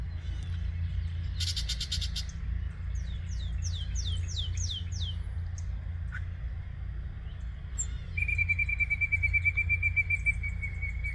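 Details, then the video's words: Yellow-breasted chat song, Osborn Metropark in Huron, Ohio, morning of 23 May 2023: a harsh rattle, then about six quick downslurred whistles in a row, then a long steady high tone, with constant low background rumble. "Yellow Breasted Chat singing."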